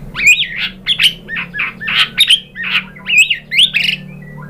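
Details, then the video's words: White-rumped shama used as a lure to provoke singing: short harsh squawky notes and upward whistled flicks, repeated about twice a second with small gaps between them. "PANCINGAN MURAI ¦ SHAMA BIRD"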